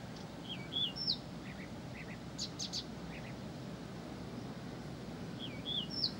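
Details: Persistent Blyth's reed warbler with paired slurred whistles at the start and end, separated by soft doubled chips and a few sharp clicks, over steady low background noise.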